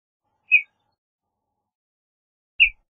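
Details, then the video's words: Western bluebird: two brief, soft downslurred chip notes about two seconds apart, clean and otherwise silent background. "Western Bluebird Song, Western Bluebird Call! Sound! - Azulejo Garganta Azul Canto"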